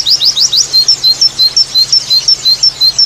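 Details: White-eye 'tembakan' variation phrase: four quick rising chirps, then a steady series of thin high whistles alternating between two pitches, roughly four per second, over a quiet low hum.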